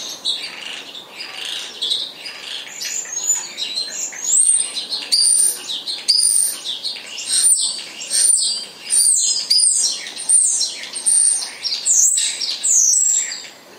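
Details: Spotless starling in full song: a long string of loud, clear slurred whistles, many rising steeply or falling, mixed with wheezy rattles, delivered in pulses about every second.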